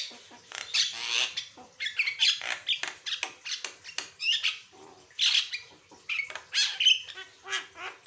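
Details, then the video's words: Javan myna in full, constant song with varied sounds, used to train and prompt other birds: harsh squawks and buzzy bursts alternate with short high whistles in an uneven, rapid stream. "Burung jalak kebo gacor, suara variasi"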